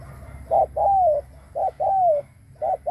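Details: Decoy spotted dove cooing to lure wild doves: a short low hoot followed by a longer, drawn-out coo that falls at the end. The pair repeats about once a second and stands alone against a quiet background.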